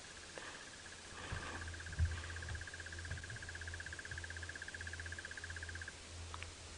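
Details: Crested Barbet singing from the tip of a dead marula tree on a sunrise drive, about 6:30 AM, 7 July 2017, Djuma, Sabi Sand, South Africa: a long, even, rapid trill like a muffled alarm clock, about five seconds, over an idling engine.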